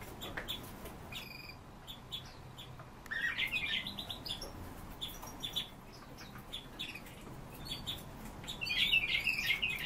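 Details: A pair of Eurasian bullfinches give soft, short whistled notes amid steady small chirping, with denser flurries of high calls around the middle and near the end.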